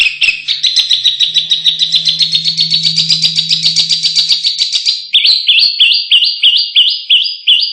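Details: Contest-training canary song: a fast, even rolling trill for about five seconds, then a string of distinct rising-and-falling chirps repeated roughly four times a second, with a faint low hum underneath.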